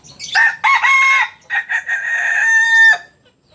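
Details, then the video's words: Kukuak Balenggek rooster, red-hackled (biriang merah), landiak-class crow, native to Solok, West Sumatra: a loud, harmonic crow broken into several stepped segments, with short bursts leading into a long sustained final note, then quiet. "Ayam kukuak balenggek... biriang merah kelas landiak...asli solok sumbar.."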